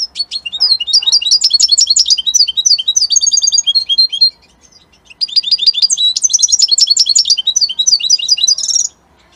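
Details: European goldfinch from Italy sings a rapid, high, tinkling twitter of buzzy trills and liquid notes in two long bursts separated by a short pause.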